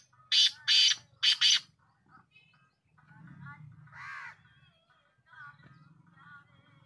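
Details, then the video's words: Black francolin call: three loud, rasping, broadband notes delivered rapidly at the start. They are followed by a quieter cawing note, faint bird calls, and a low murmur of voices in the background. "Sidhi titar Ki awaz l black teetar Ki awaz"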